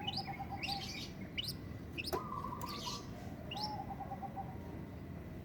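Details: A long-tailed shrike in breeding condition gives quick rising chirps and short rattling, stuttered note series against steady, fairly loud background noise; one sharp click stands out midway.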